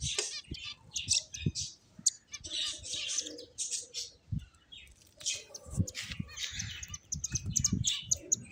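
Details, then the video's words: Finches chirp in short, high, scattered bursts, over soft low knocks and a faint murmur in the background. "Beautiful Finches Chirping Sounds"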